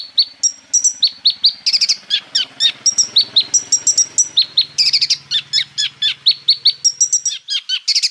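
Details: Olive-backed sunbird singing a full-material lure song with 'roll tembak' fillers to prompt other sunbirds to sing: a steady stream of high ringing chirps mixed with short buzzy bursts, over a faint low hum.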